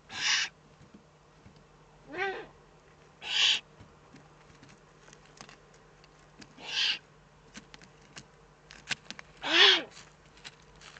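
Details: Five breathy, rasping hisses from a Eurasian eagle-owl in the Eifel on 3 May 2014, spaced unevenly over eleven seconds, some with a slightly rougher, lower edge; faint clicks and ticks in between.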